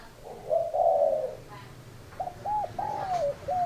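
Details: One long, husky coo from a spotted dove, a short silence, then a phrase of quick hooked coos ending in a stretched, falling note.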